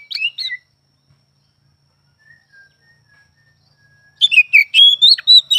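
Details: Oriental magpie-robin: brief whistled phrase, a quiet gap with faint distant chirps, then a lively string of rising and falling whistles and trills.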